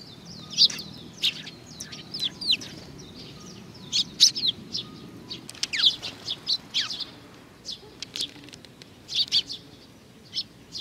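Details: A group of sparrows arriving to be fed at Tenmangu, Nakanoshima, on 21 June 2020, giving many short high chirps and tweets, loosely spaced throughout, over a faint low background hum.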